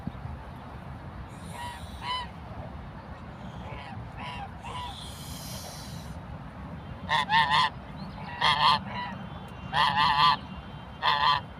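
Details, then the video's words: Aggressive African geese chasing people give loud, nasal honks, mostly in quick pairs and short bursts every second or so, with a breathy hiss midway, over a steady background rumble. "Aggressive Geese Hissing and Honking"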